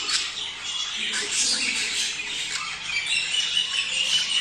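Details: A flock of budgerigars in mating-stimulation sound: continuous overlapping scratchy chatter and squeaks, with a few clearer whistled notes near the end.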